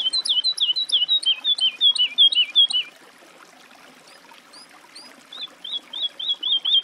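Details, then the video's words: Woodlark song of loud, rolling, down-slurred whistles in a rapid series, a pause with a few thin high notes, then a renewed run of even, liquid notes. "Голоса птиц. Жаворонок лесной (Lullula arborea)"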